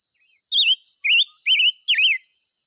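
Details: Five-coloured bird singing: four clear wavering whistled phrases, each rising and falling in a quick wobble, spaced about half a second apart, over a steady high insect-like hum.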